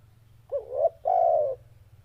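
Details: A single phrase from a loud, deep-toned spotted dove: a quick hoot sliding up into a coo, then a longer even coo, over a steady low hum.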